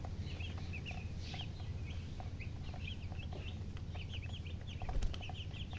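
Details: Baby chicks cheeping in a group: short, high, slurred peeps, often in pairs or quick clusters, continuing throughout over a loud low hum and a brief clatter near the end.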